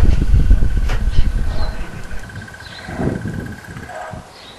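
A crested barbet's long, even, rapid trill runs unbroken at a steady mid pitch, like a muffled alarm clock, over heavy low rumble and bumps.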